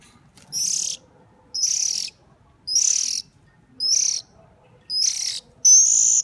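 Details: A hungry bird begs while being hand-fed: six rasping, high, hiss-like calls, each about half a second, repeated roughly once a second with quiet gaps between.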